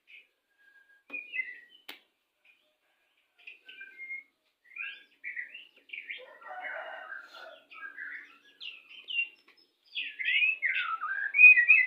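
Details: Pastol white-rumped shama lure song for pairing birds into breeding condition: scattered short whistles and chips at first, growing into a denser warble and loud, rapid varied phrases at the close.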